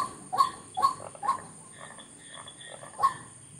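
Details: White-breasted waterhen giving a short burst of harsh, croaking notes, three quick ones then a pause and a fourth, each a brief nasal honk with a faint buzzy overtone.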